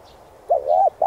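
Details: Spotted dove song used to rouse decoy birds in training: a soft opening note, a drawn-out mellow coo, and the start of another coo, with little background sound.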